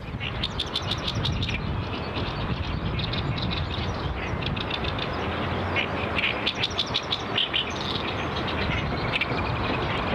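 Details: Great reed warbler at a pond, bird that spat out a pellet; harsh, chattering bursts of rapid clicking notes, one run near the start and another after the middle, over a steady low rumble of traffic-like background noise.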